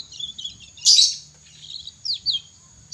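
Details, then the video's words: A young canary learning its song gives soft warbled notes, a loud rasping burst, then two clear downward-sliding whistles, all over a thin steady background whine. "Burung kenari muda belajar ngriwik"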